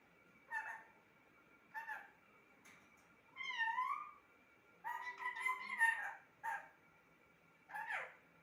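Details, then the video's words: Pet talking parrot gives short nasal syllables, a wavering arched tonal call, then a longer run of warbling, word-like sounds, followed by two more brief calls, against a faint hum. "Talking parrot"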